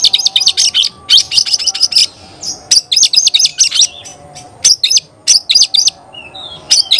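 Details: Oriental magpie-robin singing clusters of rapid high ticking notes in bursts of about a second, repeated with short pauses between, plus a couple of thin whistles.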